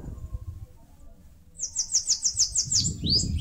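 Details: Bananaquit in northeastern Brazil, building a nest in a mandacaru: after a quiet start, about ten evenly spaced high, buzzy notes in quick succession, closing with two upward-sweeping squeaks.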